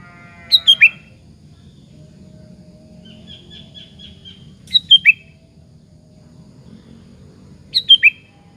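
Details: Sooty-headed bulbul singing persistently as a lure to provoke other bulbuls into answering: three brief bursts of quick, descending whistled notes spaced several seconds apart, with a faint series of thin high notes and a low droning murmur between them.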